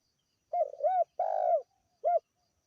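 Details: Spotted dove of a local type, recorded as a clear calling lure for attracting birds: one full phrase of low, mellow coos, a clipped opening note, an arched coo, a long slightly rolling coo, then a short final coo.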